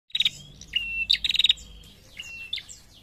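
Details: Female prinia calling in reply to males: a thin high whistle, then a quick run of sharp chipping notes, another long whistle, and scattered faint chirps against a quiet background.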